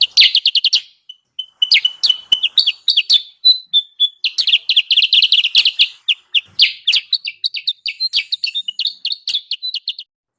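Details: Sooty-headed bulbul call for luring wild birds: bursts of fast stuttering chirps separated by short pauses, a few longer clear whistled notes between, then a long busy chattering stretch that fades out.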